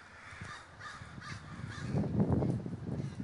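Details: Crows flocking together at Davis, California: repeated harsh caws over a rising low rumble of wind or traffic.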